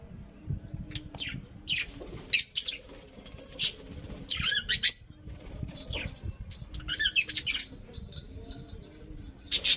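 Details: Several budgerigars kept at home chatter in rapid, high, scratchy chirps and squawks, in clusters with short pauses between.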